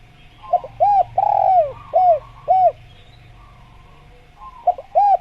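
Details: Spotted dove (tekukur) cooing: short arched coos, one longer drawn-out note, then a pause before two more coos near the end, over a faint steady hum.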